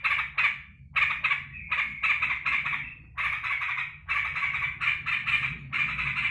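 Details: Home-kept yellow-vented bulbul welcoming its keeper after work. Lively, continuous chattering phrases with brief held notes and short pauses.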